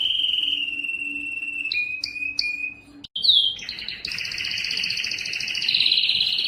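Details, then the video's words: Yellow canary in song: a long level whistle broken by brief high chips, a short pause, then a sharp upslurred note leading into dense rapid trilling. "yellow canary singing"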